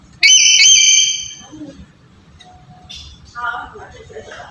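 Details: Black-capped lory, a lure recording for rousing a quiet bird to call: one loud, shrill, whistled call lasting about a second, with a slight break in pitch, then faint chatter and murmuring voices in the background.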